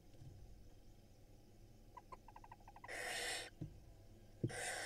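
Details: Barn owl nestlings begging at an Israeli nest box as their mother brings food. A run of soft rapid ticking clicks leads into two rough, wheezing hiss bursts, with a few dull knocks between.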